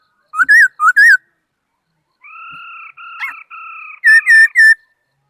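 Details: A laughingthrush sings bursts of loud whistled, warbling notes, then a pause, two long steady whistles, and a final burst of rapid wavering whistles; the background is otherwise silent.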